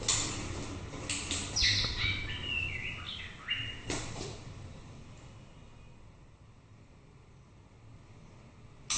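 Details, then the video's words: White-rumped shama giving a quick burst of chirps and tumbling whistled notes in the first four seconds, then near silence with faint background noise. "Chòe lửa bông tới nái /shama bird/murai batu/白腰鹊鸲/บินหลาดง/"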